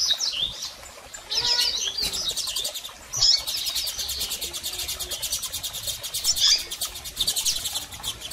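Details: Calls from female and male double-collared seedeaters to rouse a male: high chirps early, then a long fast run of rapid ticking pulses repeated many times per second.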